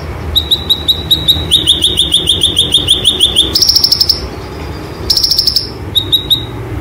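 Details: Cagebird white-eye singing "roll tembak" material for training: a long string of evenly spaced sharp chirps speeding into a dense rattling trill, then brief buzzy bursts separated by pauses.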